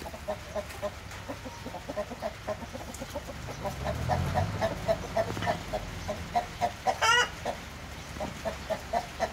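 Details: Several Splash Wyandotte breeding hens cluck in a rapid, uneven patter, with a low rumbling noise midway and one sharp, loud squawk near the end.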